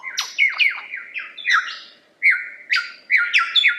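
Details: Lyrebird song: a rapid run of loud, varied notes, sharp downward-sweeping whistles and buzzy chirps jumping between high and middle pitches, delivered in quick bursts with a short pause midway.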